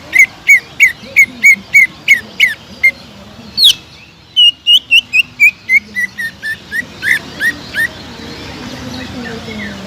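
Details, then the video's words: Greater green leafbird, a lively singer for luring others of its kind, a steady run of about eight sharp whistles, one high rising note, then a fast descending string of clipped whistled notes that fades. "TEMBAKAN PEDAS CUCAK IJO GACOR BUAT MANCING CUCAK IJO LAIN AGAR JAMTROK"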